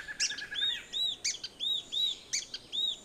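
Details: Yellow-bellied tyrannulet calling: a short, fast series of thin notes, then clear arched whistles repeated about twice a second, with very high faint arcs above and sharp clicks between them.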